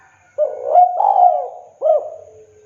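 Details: Spotted dove in manggung song, a recording used to make silent birds sing: a smooth run of low coos leading into a long wavering note, then one final arched coo, with a faint steady hum behind.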